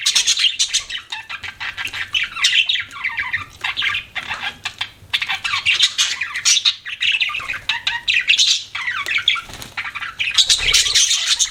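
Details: Pet budgies chirp and squawk in busy overlapping chatter, scratchy warbles and sharp squeaks coming in clustered bursts.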